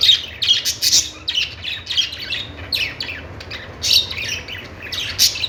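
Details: Budgies singing in quick, scratchy chirps and short squeaky squawks, about two bursts a second at irregular spacing, over a faint low hum.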